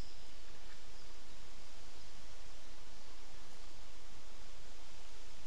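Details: Steady outdoor hiss and leaf-like rustling fill the recording; no animal call stands out.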